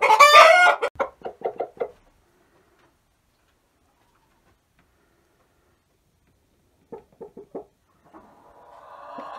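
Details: Hens in a coop settling into new nesting boxes, some still laying eggs elsewhere: a loud squawk opens, followed by a run of short clucks, a pause, another short burst of clucks and a faint drawn-out note near the end.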